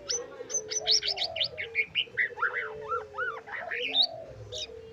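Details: Rapid trotol singing by a white-rumped shama with full isian: a fast run of sharp high chirps followed by looping whistled slurs dipping and rising, repeated quickly, with a low steady tone beneath.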